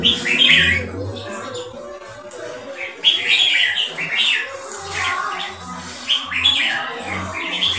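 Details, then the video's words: Four-year-plus Thai red-whiskered bulbul of purebred champion line, kept for competition and prized for loud open-tail keke: clusters of sharp chirping notes come in bouts every few seconds, with brief quieter gaps and a faint low drone. "LOUD OPEN TAIL KEKE COMPETITION BIRD"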